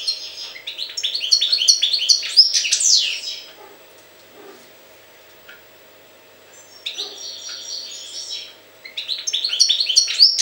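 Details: Fast, jangling twitters and chirps from a European goldfinch come in three bursts of varying length, with short pauses between them and a faint constant hum in the background.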